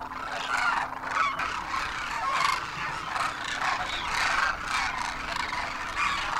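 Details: Wintering Demoiselle Cranes, adults with first-year young, rise in vast numbers in Rajasthan, India; a steady cacophony of overlapping rolling trumpet calls swells and fades every second or so.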